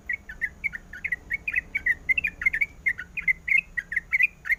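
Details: Female sooty-headed bulbul in breeding condition calling to the male: a rapid string of short, bright chirping notes, many per second, varying slightly in pitch, with a faint hum beneath.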